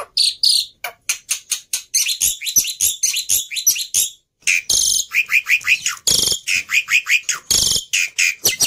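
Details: Emotional fighter black-winged myna, a model for teaching mute mynas, produces rapid grating chatter, clicking ticks and bursts of buzzy squeaks with brief gaps.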